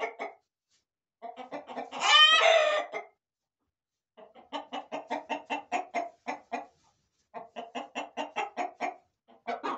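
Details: Roosters and hens in a corral: a rapid run of short clucks, broken by one loud, harsh crow in the middle, then more bursts of steady clucking separated by brief silences.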